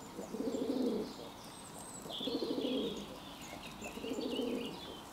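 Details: A pigeon recorded 11 June 2022 gives low, throaty cooing phrases about every two seconds, with faint higher chirps of small birds in the background.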